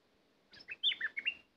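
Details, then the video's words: A decoy bulbul, kept to call in wild birds, sings a brisk phrase of about six liquid, warbling notes after a short silence, ending abruptly. "Burung merbah lekir bay hoach thom gacor bahanan"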